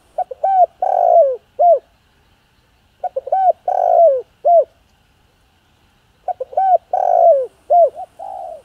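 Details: Spotted dove in the 'giọng hạp bổi' voice, cooing to rouse other doves: three repeated phrases about three seconds apart. Each has short clipped notes, a long rough coo and an arched closing note, over a silent background.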